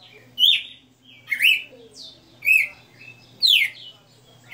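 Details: {'c': "Caged galo-de-campina (Red-cowled cardinal) delivering '60 notas' song live: four loud, ringing whistled phrases, each sweeping up and down, spaced about a second apart."}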